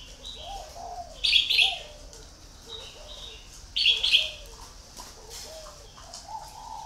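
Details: Decoy red-whiskered bulbul for luring sings two loud, cheerful warbled phrases about two and a half seconds apart, while softer low mellow notes, like another bird cooing, run through the background.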